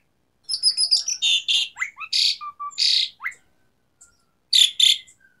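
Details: Jalak suren song in the tembakan fill style: a quick run of thin, high, buzzy notes leads into harsh rasping bursts, falling whistles and soft low notes, then two final loud bursts.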